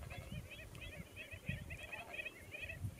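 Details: Andean flamingos in the Atacama Desert: steady nasal, honking chatter from a flock, repeated in quick bursts, with low wind rumble beneath.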